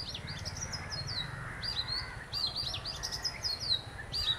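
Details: Oriental magpie-robin from a visiting pair: high, sharp chirping notes and quick downslurred whistles repeated in rapid bursts, over a steady low rumble of background noise.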